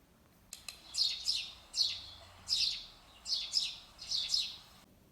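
A sparrow gives about nine bright, high chirps in five seconds, often in quick pairs, against a faint low hum.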